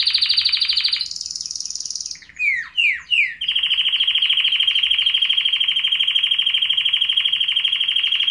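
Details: Canary in full song: rapid trills in two registers, three swooping downward notes, then a long, loud, steady rattling trill.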